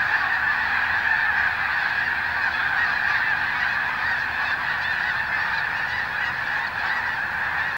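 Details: Snow geese massed on Fir Island near Mount Baker as the weather clears: sustained clamour of countless honks blending into a constant roar, slightly softer and steady across the whole stretch.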